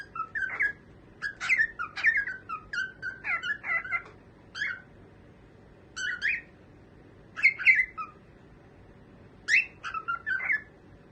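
A cockatiel chirps in short, bright whistled bursts, some rising and some falling, with brief pauses between.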